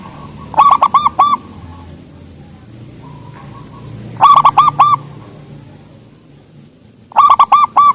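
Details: Soft-voiced local zebra dove (perkutut lokal) giving three phrases of four or five quick, springy coos, spaced about three seconds apart, with a quiet low note between phrases and a steady faint hum.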